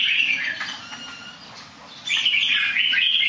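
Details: A bird that sings nicely but somersaults slightly: a short burst of warbling at the start, a near-silent pause, then a loud, rich, rippling phrase from the two-second mark onward.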